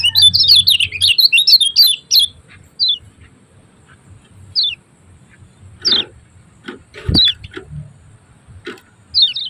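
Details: White-eye (kecial kuning) from Lombok, used as a master recording for training kept birds: a fast, busy burst of high chirps and twitters opens, then sparse, sharp, downward-sliding single notes with a few clicks and knocks between them.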